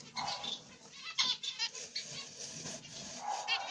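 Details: Zebra finch pair in a nest with their chicks: a light-back grey, black-cheeked mutation male and a pied female. Short nasal harmonic calls come in uneven bursts with breathy rustling in between.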